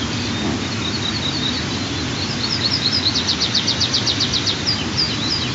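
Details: White-tailed eagle eaglet on the nest during the third morning feeding, 15 June 2023, with two eaglets 23 and 25 days old; a fast run of high, thin peeping notes over steady background hiss.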